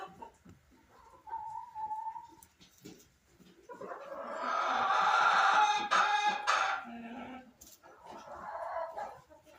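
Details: From a nesting box, a Silkie rooster gives scattered soft clucks and a short tonal note, then a loud sustained harmonic call lasting about three seconds, followed by lower clucking.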